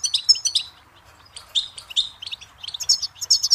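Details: Goldfinch song tape for tutoring chicks: clusters of bright, liquid twitters broken by a brief lull, then quicker tinkling chirps toward the end.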